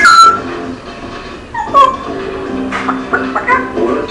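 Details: A pet male African grey parrot mimics R2-D2 robot noises after cleaning his nails: quick whistled chirps and sliding beeps in short bursts, with mumbled "hello" phrases and faint background music.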